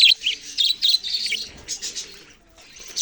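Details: Loud, clear budgerigar chirps in quick bursts of high twittering notes, broken by a short pause before a final chirp.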